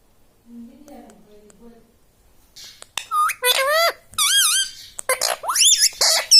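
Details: Pet parrot saying "mummy" and "papa" indoors: a faint low murmur at first, then a rapid burst of sharp, squeaky, harmonic syllables with looping pitch, some clipped and abrupt.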